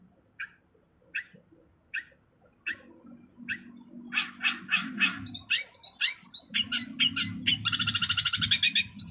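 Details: Long-tailed shrike song with rich varied content: spaced, slightly buzzy mid-pitched notes, then a dense burst of harsh scratchy notes ending in a fast rattling trill, with low rumbling background noise.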